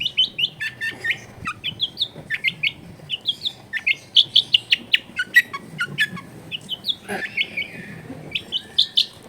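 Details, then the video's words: Long-tailed shrike kept as a caged bird, with a recording meant to stir a lazy bird into singing; quick run of short chirping and scratchy notes, about two or three per second, over faint low background hum from a crowded neighbourhood. "CENDET GACOR SOLUSI PANCINGAN BUAT CENDET MALAS BUNYI"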